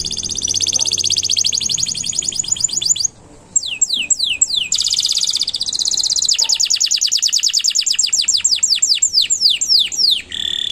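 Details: Canary singing at length, recorded as a master for training young songbirds and filling chatter birds' repertoires: fast high buzzy trills broken by brief gaps, mixed with loud descending whistled sweeps.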